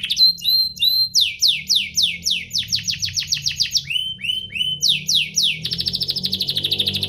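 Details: Domestic canary song meant to spur other canaries to sing: loud descending whistled sweeps in quick series, some lower swoops, then a dense high buzzy trill near the end; faint low background hum.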